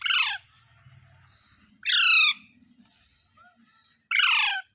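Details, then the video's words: Three harsh, broad parrot screeches roughly two seconds apart, over a low background murmur and a faint short whistle. "Parrot Sounds Videos Compilation | Mitthu Mitthu Parrot Sounds | मिट्ठू मिट्ठू |Funny parrot sound"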